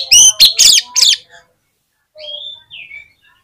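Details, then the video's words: Oriental magpie-robin singing actively, used to prompt other magpie-robins: three loud, harsh, bright notes up front, then a pause and two soft, drawn-out falling whistles. "PANCINGAN KACER GACOR"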